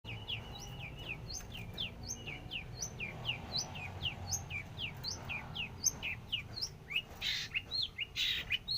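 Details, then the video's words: Long-tailed shrike, described as very active, giving a long series of short, sharp, down-slurred chirps about twice a second. Louder harsh notes come near the end over low background rumble. "cendet super aktif"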